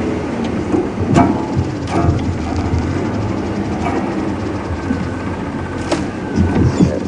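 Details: Rumbling engine and rattling vehicle noise during a morning safari drive at Djuma Game Reserve, with occasional clicks and knocks.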